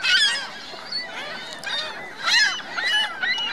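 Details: Several geese with their goslings at Virginia Lake, Reno: bursts of nasal honks mixed with shrill, chirping gosling peeps, louder clusters at the start and around the middle, busy overlapping calling.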